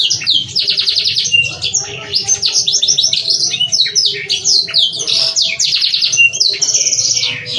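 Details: Loud, rich canary song for tutoring young canaries and arousing breeding mood: fast rattling trills, buzzy rolls and high whistled sweeps in a continuous torrent, with fainter lower warbling beneath.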